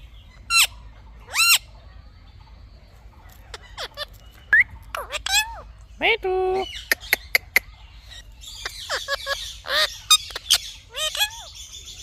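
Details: Talking Indian ringneck parrot uttering scattered squeaky, slurred syllables and a stuttering harmonic phrase, sharp clicks, then a denser stretch of scratchy, word-like chatter.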